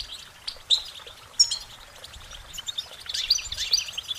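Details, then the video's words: Goldfinch singing, a few scattered high chirps and short twittered notes separated by quiet gaps, followed by a denser burst of thin, high twitters toward the end. "Uplifting Chirpings Motivational Goldfinch Singing their Song"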